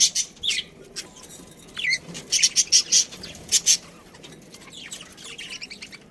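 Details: Pet budgerigar giving a series of sharp, high chirps in a quick run, with softer warbled chatter before and after.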